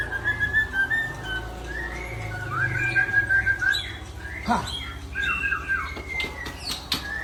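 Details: Murai Aceh, the white-rumped shama, in strong voice: a run of looping whistles and brief chirps amid background noise and a few sharp clicks.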